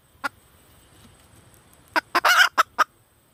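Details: Female red junglefowl calling: a faint single cluck, then a quick run of loud, harsh clucks with one longer raspy note in the middle, all in about one second.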